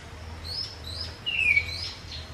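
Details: African grey parrot in the wild, eating fruit; a clear whistled note rising then gliding downward, with a softer high whistle before it and a low steady hum underneath.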